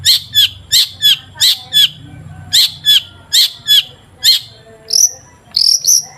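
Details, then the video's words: Long-tailed shrike song used as a lure for shrikes: evenly spaced sharp two-part chirps repeated about three times a second, a short gap, then thin high whistles. "PANCINGAN CENDET AGAR BUNYI"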